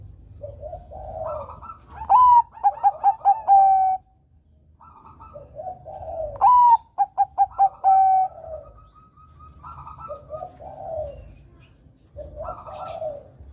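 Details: Zebra dove (Bangkok perkutut), used as a lure for young males, repeats its song about every four seconds: soft mumbling coos, then a clear rising note and a quick run of staccato cooing notes.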